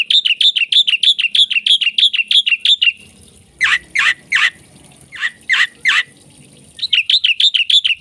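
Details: Gacor song of a black-winged myna (jalak putih), full of isian: a rapid run of high, twisting chirps, then several harsh broad bursts, before the quick chirping series resumes at the end.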